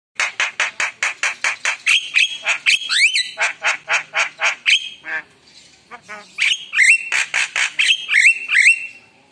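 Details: Javan myna singing actively (gacor), described as spontaneous and emotional, its song full of rich fill-in phrases: about twenty harsh, rasping notes in a fast regular series, then a brief pause and a run of clear whistled, rising and falling notes mixed with more rasps.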